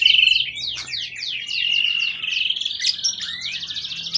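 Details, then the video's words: Forest-caught contest bird in peak condition, tail above 20 cm, delivering a continuous high, sweeping twitter of quick slurred notes and short trills without pause. "Burung event ori hutan ekor 20cm up lg on banget"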